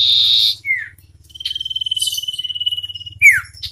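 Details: Wild and hand-raised common iora singing against each other. A loud buzzy burst is followed by a short falling slur, then a long level rapid trill and a bright descending note. A low steady hum sits beneath.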